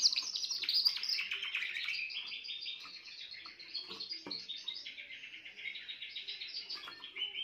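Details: Young Spanish Timbrado canary of this year, still in training, recorded 14 June 2023, singing a continuous rapid rolling trill, loud at first and then steady, with metallic pulsed notes that shift slightly lower in pitch as it runs on.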